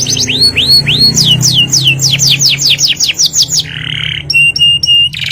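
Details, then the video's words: Canary singing ngerol nembak: slow rising-falling slurred whistles quicken into a rapid roll of steep descending notes, followed by a coarse buzz and clipped repeated high piping tones; low hum in the background. "KENARI GACOR NGEROL NEMBAK | CANARY SINGING"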